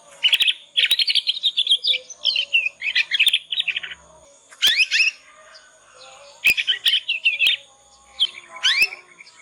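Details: Juvenile Yorkshire canary practising its ngriwik song, a lure to teach other canaries. Dense chattering and trilled phrases come in bursts, broken by rising sweeping chirps, with occasional sharp clicks and a steady faint tone.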